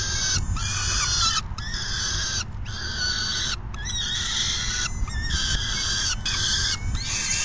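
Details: June 10, 2022 afternoon feeding at a peregrine falcon nest; rough, sustained wailing calls pulse roughly once per second with brief breaks, set against a constant low rumble.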